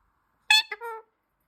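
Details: A pet talking Indian ringneck (rose-ringed) parakeet, chirping and playing, gives one brief vocalization: a harsh, buzzy burst followed by a lower, nasal, drawn-out note, about half a second long. No other sounds.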